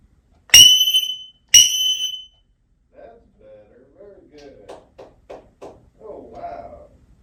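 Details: Pet African grey parrot, asked to sound the alarm if a burglar comes in, mimics a burglar alarm with two loud, shrill electronic beeps about a second apart, followed by soft human speech.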